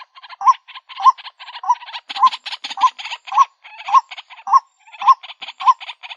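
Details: White-breasted waterhen (Amaurornis phoenicurus) calling as a lure: rhythmic low, upturned hoots just under two per second, accompanied by continuous rasping, croaky chatter that grows denser around two seconds.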